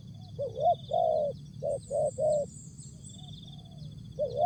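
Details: Spotted dove in Asia giving a short jergot-style song: hoarse, rolling coos in quick groups of two and three, rising at the end, over a steady high insect buzz and low rumble.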